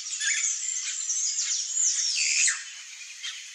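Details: Red-rumped cacique, the bird that weaves its nest in the shape of a bag, giving sweeping downslurred and rising whistles amid dense high chatter, fading toward the end.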